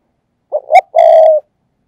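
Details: Perched spotted dove decoy giving its urging coo to attract doves: two quick notes, the second sharper, then a long steady coo, in otherwise quiet surroundings.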